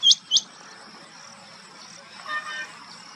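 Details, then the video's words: A rain quail at Chandlai lake, Shivdaspura, Rajasthan, on 30 July 2020, gives two sharp, high, metallic whistled notes in quick succession, over a steady insect hiss and faint distant bird chatter. "Call of Rain Quail"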